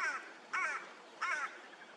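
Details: A perched crow with an unusual voice gives three harsh, nasal caws about every 0.6 seconds, each a short grating burst, on 25 June 2022.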